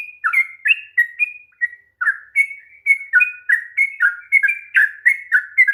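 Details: Sooty-headed bulbul singing a long rapid 'ropel' song, played to provoke a reluctant bulbul to sing: quick bubbly whistled notes, rising and falling, about three per second, with one short pause near two seconds. Clean background.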